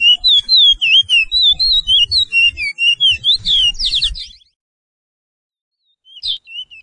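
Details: Chestnut-bellied seed-finch training song, known in Suriname as Pijé-Pijé: loud rapid whistled slurs ending in buzzy notes, then a pause of about two seconds and a few faint whistles as singing resumes.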